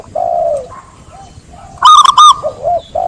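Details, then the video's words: Zebra dove song: soft low coos lead into a sudden loud double burst of rolling, quavering notes, followed by gentler coos again. "Suara burung perkutut"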